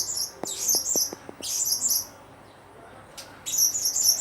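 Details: Blue-crowned hanging parrot giving bursts of very high, thin, twittering chirps in three separated clusters, with a short run of dry clicks near the start and quiet gaps between bursts.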